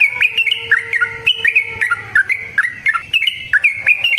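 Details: Yellow-vented bulbul in long 'ropel' song, used as a lure to get other bulbuls singing: bubbly, liquid notes with quick upward flicks, repeated in rapid phrases with barely a pause.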